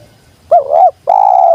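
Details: Spotted dove, used to lure wild birds down, giving a clear low cooing phrase: a short wavering coo, then a long steady mellow coo, with no other sounds.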